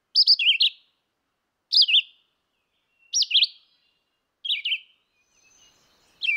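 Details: A red-eyed vireo delivers five short, choppy whistled phrases, some up-and-down slurs, others falling, about 1.4 seconds apart against a quiet background.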